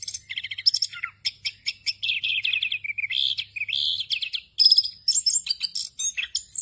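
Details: Ngerol-style singing of an orange-headed thrush, full of filler phrases, meant for training other birds. Pulsed warbling runs sit at mid pitch, mixed with sharp high chips and one brief gap before the quick, varied stream resumes.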